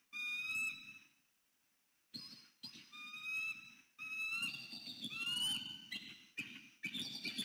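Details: Mated bald eagles reuniting at their nest tree in northeast Florida at dawn, 6 November 2019, the female greeting the male loudly: repeated bursts of high whistled piping, some notes sliding up and down, growing into excited overlapping chatter.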